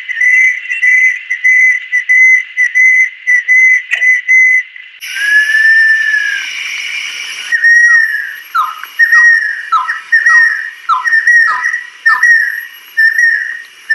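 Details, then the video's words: Adult female banded kingfisher (Lacedo pulchella) gives a quick run of clear, steady whistles, then a longer held whistle, followed by a series of sharply down-slurred whistled notes. "Banded Kingfisher-Song Bird."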